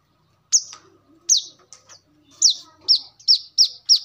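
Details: Sharp, high, descending chips from a brown-throated sunbird used as a lure and song model for training birds, spaced unevenly at first, then coming faster toward the end.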